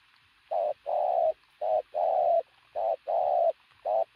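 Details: Loud, full pigeon coos: a short burst then a longer sustained note in each pair, repeated about once per second in a regular rhythm.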